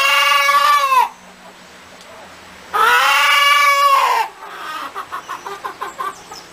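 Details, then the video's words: Chicken on a farm giving two long, drawn-out harmonic squawks about a second each, separated by a pause, followed by a quick series of short clucks. "Som de Galinha - Galinha cacarejando"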